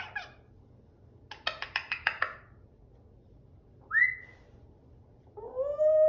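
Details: Pet African grey parrot indoors giving a burst of short clicking chirps, then a loud rising whistle and a swooping, bending whistle in a quiet small room.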